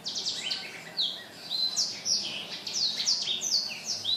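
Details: Energetic song of a black-throated laughingthrush, 15 December 2016; after a brief lull comes a run of ringing, downslurred whistles, some with quick upward flicks, following closely one after another.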